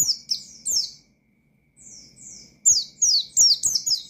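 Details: Oriental white-eye in 'ngalas' song aimed at rival birds: a few bright falling whistles, a near-silent pause, drawn-out thin notes, then a fast burst of sharp descending chirps.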